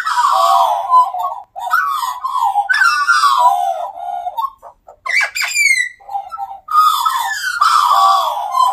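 Australian magpies carol in rich, fluting warbles with sliding, bubbling notes that rise and fall, broken by a few sharp, squeaky upward whistles.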